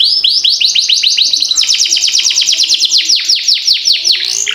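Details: Canary singing a long roll for training young birds: steady trill of repeated upswept notes that quickens into a denser, buzzier roll, then broader slurred sweeps.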